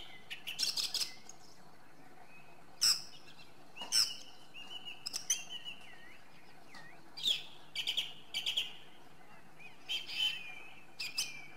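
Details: Song thrush (Turdus philomelos) singing: bright whistled phrases and sharp high notes, some short notes repeated in quick bursts, separated by brief pauses, with soft background hiss.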